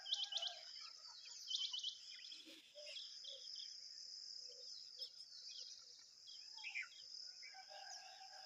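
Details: Tailorbird chicks being fed a big worm give thin, high chirps in quick bursts, two clear volleys then scattered single notes, over a steady buzzing insect drone.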